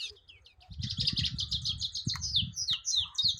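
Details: Rapid jangling twitter from a European goldfinch, quick chirps and slurred whistles tumbling together in a lively run, over a low rumbling background noise.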